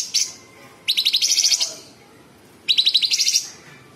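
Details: Sooty-headed bulbul (cucak cungkok) in full song, a tight-paced 'tembakan' style. Two dense, rapid buzzy rattling bursts of chattering notes, each lasting under a second, separated by a short pause.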